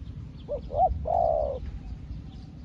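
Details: Spotted dove kept as a decoy, a new bird calling wild doves as well as an old hand; one clear mellow phrase of two quick rising notes followed by a longer steady coo, over a faint low hum.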